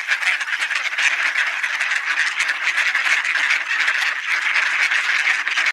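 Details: Gathering for supper on a partly cloudy 20°C November afternoon in 2020 at Sainte-Adèle, Quebec, Canada, numerous ducks produce a loud, steady wall of mingled quacking and chattering calls.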